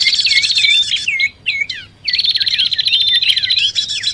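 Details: Bar-winged prinia calling in a lure mix with common iora: scratchy buzzing trills broken by looping, down-curving whistles and a short gap near the middle.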